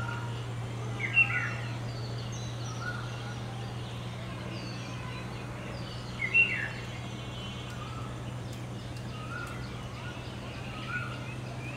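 A bee-eater gives two short, rolling, mid-pitched calls about five seconds apart over a steady low hum, with faint bird twitters behind.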